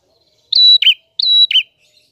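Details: Clear prinia song of two quick phrases, each a long level high whistle followed by a lower, harsher falling note. A few faint soft chips follow, and the background is otherwise silent.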